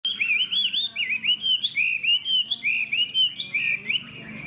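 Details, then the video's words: Caged hwamei with a fanned tail, singing loudly: clear whistled, warbling phrases that slur up and down, delivered in quick bursts about once a second with short gaps between them. "Họa mi đuôi xòe, thái độ tốt, giọng hay"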